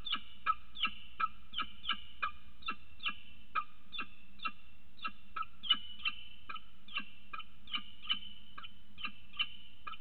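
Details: Adult male peregrine falcon arriving with food for the female on the morning she laid her first egg, at a camera-watched nest. Short sharp chipping calls repeat steadily, roughly two to three per second, over a low background hum.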